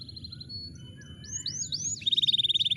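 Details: Canary lure song for prompting a canary that has stopped singing: thin whistled notes and quick upward-curving sweeps, ending in a loud, rapid, evenly pulsed trill.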